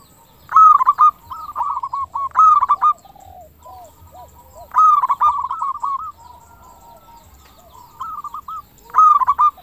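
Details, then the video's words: Several local zebra doves singing, used to provoke other doves to answer. Loud phrases of quick rolling, bubbly coo notes repeat every few seconds. Quieter distant doves coo in the gaps with descending notes. "PERKUTUT LOKAL GACOR SUARA KRISTAL - Pancingan perkutut bikin cepat nyaut"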